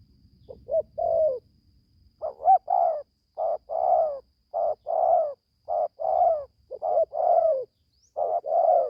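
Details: Young spotted dove kept in a cage in Gia Lai, Vietnam, calling during its first forest training session. A run of paired coos, a short note then a longer one, repeats roughly once a second after a low rumble at the start.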